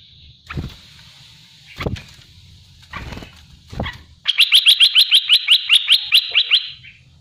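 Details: A few dull thumps and knocks come before this olive-winged bulbul, or merbah belukar, launches into a fast 'tembakan' volley of about fourteen crisp, evenly repeated notes lasting over two seconds, ending abruptly.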